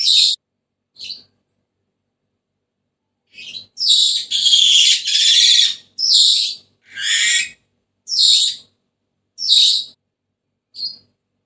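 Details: Senegal parrot giving a lively run of rasping squawks and shrill chattering notes. A dense burst in the middle is followed by evenly spaced short screeches about once a second.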